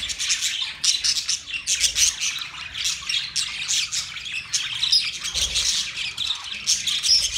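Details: Budgerigars, Australian parrots, keep up a busy flock chorus of thin, scratchy chirps, warbles and short squawks overlapping without a break.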